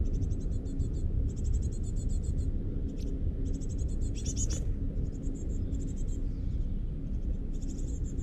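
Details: Great tits on the eleventh floor at Mariahoeve, The Hague, in May 2023. Rapid trains of thin, high chirping notes come in bursts with short gaps, over a constant loud low rumble.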